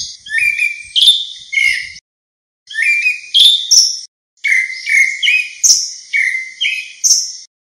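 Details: Grey-backed thrush (Turdus hortulorum) flock-gathering call, clean with no other noise: rich, slurred whistled phrases in quick runs of three to six notes, with brief pauses between bursts.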